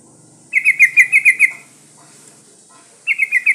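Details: Female sooty-headed bulbul in breeding condition calling to males: a rapid burst of about six bright, chirpy notes lasting one second, then a pause and a shorter run of four similar notes. A faint hum sits in the background.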